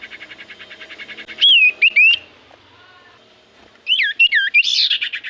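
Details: Common iora song played as a lure for other birds: two bursts of sharp whistled notes with rising and falling slurs, separated by a quiet gap, over a faint steady pulsing background.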